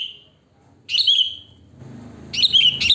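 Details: Wild sooty-headed bulbul song used as a lure: short whistled notes, then a bubbly descending phrase and a louder double burst at the end over low rumbling noise.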